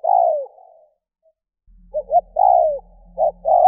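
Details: Spotted dove decoy call for luring doves: a falling coo, a brief silence, then more short notes and coos over a faint low hum.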